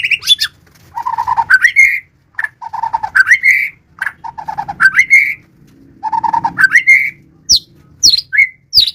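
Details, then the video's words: White-rumped shama repeating one phrase about every two seconds: a low whistled note that slides up into a higher ringing whistle. Sharp high squeaks follow near the end over a faint low rumble. "murai batu kicau"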